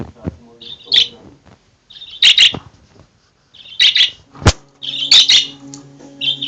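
A female budgerigar gives harsh, buzzy chirps in bursts, over faint background music.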